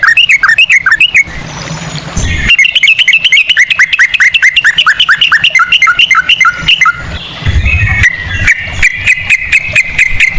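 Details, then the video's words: Yellow-vented bulbul in a long 'ropel' song styled on the Straw-headed Bulbul, played as a lure. Quick strings of sharp, chirping notes, with a short rush of noise midway and later a thinner whistled line. "pancingan ampuh burung trucukan ropel cengkok cucak rowo"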